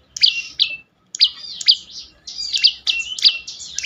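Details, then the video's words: Prenjak lumut, the bar-winged prinia, singing a lure phrase: loud high sharp chirps, each running into a thin buzzy trill, in bursts separated by brief pauses, with a quiet background. "prenjak lumut lain makin tergoda berbunyi"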